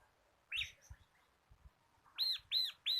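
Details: Bar-winged prinia, local crystal kapas type kept caged as a training tutor, gives a soft note and low taps, then three loud arched high notes in quick succession.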